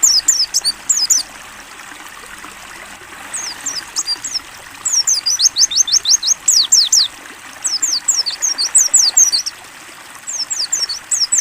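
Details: Pleci or mountain white-eye giving a clear ngalas song used for training: bursts of shrill, steeply falling whistles, including a long even run of about a dozen notes, over faint trickling water.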